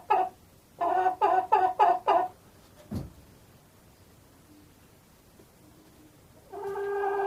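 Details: A chicken gives a single cluck, then a fast series of four or five nasal clucks. A sharp knock follows, then quiet, then a drawn-out tonal call.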